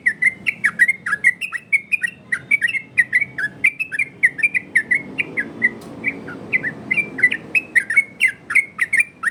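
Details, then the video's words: Yellow-vented bulbul singing a loud, clear 'ropel' variation song, used as a master tutor and to lure other bulbuls into answering. Rapid run of bubbly, chopping whistled notes, rising and falling, with a few short pauses and sharp clicks throughout. "Burung trucukan Ropel variasi!!! Dijamin nyaut trucukan dirumah!!!"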